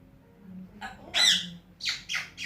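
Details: African grey parrot kept as a pet, known for talking, whistling and calling out names, giving one loud raspy squawk followed by three shorter harsh squawks in quick succession in a small room.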